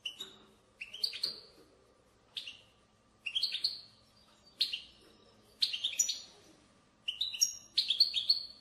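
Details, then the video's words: European goldfinch giving a batbata, a strong twittering used to stimulate goldfinches to sing: short bursts of bright, buzzy chirps and trills about every 1.5 seconds, with a faint steady hum underneath. "أقوى بتبتة لتحفيز الحسون على التغريد"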